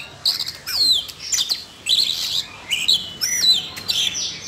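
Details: Singing Siberian rubythroat, caged, excited by bird-training sounds: separate bright bursts of chattering, squeaky high notes, roughly two per second, each ending in a thin whistle, separated by short silences.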